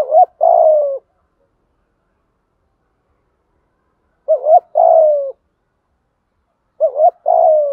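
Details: Lure call of a spotted dove, the 'thúc gù' urging coo used to train wild-caught or long-silent birds to call; three low phrases, each a wobbling two-part note and a longer sliding coo, separated by pauses of several seconds.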